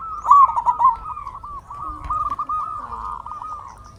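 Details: Local zebra dove lure song meant to prompt silent doves to answer: one loud, bubbling trilled coo phrase, then a long, softer run of rolling coo notes fading toward the end.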